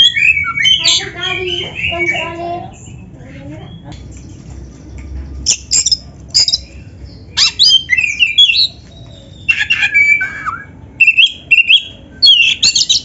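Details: Black-chested kacer (Oriental magpie-robin), a kept songbird singing vigorously with inserted canary phrases, used as a training and provoking recording; rich varied song of high whistles, rapid chattering trills and sharp squeaky notes in bursts, with a pause midway, over faint low hum.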